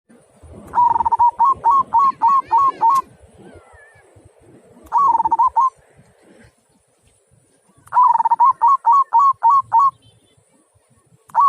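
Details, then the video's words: Local zebra dove singing in the big-voiced, clear 'kung' style: three phrases, each a quavering low coo followed by a quick run of five or six short, bouncy, rising notes, with low rumbling background noise between phrases. "Mp3 Perkutut Lokal Suara Kung"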